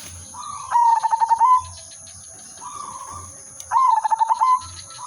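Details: Zebra dove of the silver udanmas line, kept as a lure and trapping bird, sings two cooing phrases of quick pulsed notes with a softer trailing coo between them, under a steady high electrical hum.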